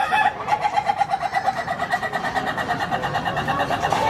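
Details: Rooster with a comical, unusual voice: a continuous pulsing, wavering crow lasting the whole four seconds, with a steady tone and rhythmic beats, slightly noisy background.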